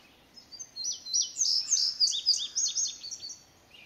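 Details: An indigo bunting sings repeatedly, perhaps responding to a house wren and other birds calling nearby: a bright, high, sweet song of quick paired notes lasting about three seconds, with only faint background noise.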